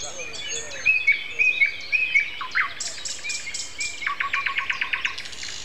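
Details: Morning song of a common nightingale, Sunday April 29, shortly before eight: clear level whistles in sequence, then bright clicking strophes and a fast repeated note series, with other small birds calling around it.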